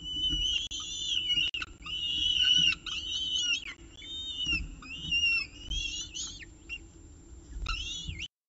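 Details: Evening meal at the CSU Orange peregrine falcon nest on 18 October 2018, 6:51 pm, filmed by nestcam: a steady series of high, drawn-out whining calls, some rising then bending down, over faint low hum.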